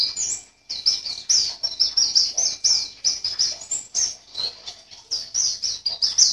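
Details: Caged white-eye from Sambas, West Kalimantan, Indonesia, entered in an online singing contest, delivers a rapid, unbroken chatter of high, thin twittering notes, short bursts tumbling one after another with barely a pause.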